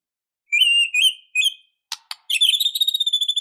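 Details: White-rumped shama in an emotional, fighting mood, singing a busy song full of varied phrases: clear whistled notes rising in pitch, two sharp clicks, then a fast run of ringing high notes.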